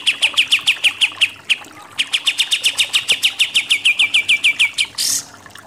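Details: Pied triller (kapas tembak) in its rapid 'nembak-nembak' shooting song style: long runs of sharp, downslurred high chips repeated several times a second, a brief pause near the middle, and a short hissing burst at the end.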